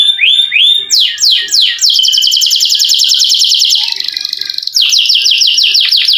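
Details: Canary in full, energetic song, described as a long roll suited to prompting lazy canaries to sing: short upslurred notes, then fast falling repeated notes, a long steady rapid rolling trill, and brisk descending note series.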